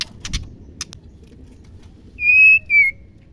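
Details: Female white-rumped shama, whose song is used as therapy to prompt reluctant males to sing: a few faint ticking clicks, then two loud, pure whistles, the first held steady and the second dropping slightly.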